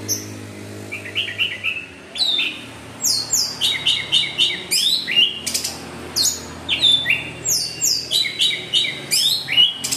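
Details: Orange-headed thrush singing a lure song of rapid, varied phrases: sweeping high whistles, twittering trills and sharp chips delivered in a steady stream of bursts about every half second, with a low hum in the background.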